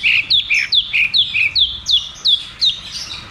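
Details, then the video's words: Rolling 'ngeroll tembak' song of a cucak cungkok, played as therapy for birds that have stopped singing: evenly repeated bright, falling whistled notes, a little over two per second, alternating higher and lower pitches. "Therapy dan Pancingan Burung Macet Bunyi || Cucak cungkok Ngeroll tembak"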